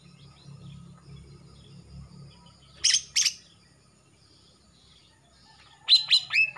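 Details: Young male greater green leafbird of Kalimantan, moulting from mottled juvenile plumage with a darkening throat, gives two loud buzzy rasps after a quiet murmuring start, then a quick series of rising whistled notes.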